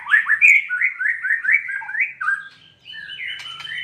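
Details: White-rumped shama singing, played to provoke a caged shama into song: loud, rapid sequence of short rising and falling whistled notes delivered several per second, then a quieter run of sustained whistles and a buzzy flourish near the end.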